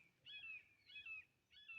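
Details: Two red-shouldered hawks (Buteo lineatus), heard unseen at Johnson-Springview Park, Rocklin, end of October 2022, one giving three loud, high, downslurred kee-ah calls about two per second over faint steady hiss.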